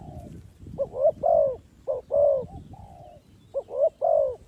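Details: Spotted dove cooing, a calling bird used to lure others into a trap. A soft lead-in coo is followed by repeated phrases, each a short double note and a long, slightly falling croo, with a faint rustling background.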